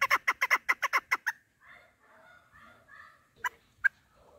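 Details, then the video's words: Female chukar partridge used for hunting: a quick burst of eight loud clucks, then soft low murmuring notes and two sharp isolated chucks near the end. "Овози модкабк Садои модкабки шикори Мастак Кабки мода Кабк Кабк Keklik که و Partridge Chukar"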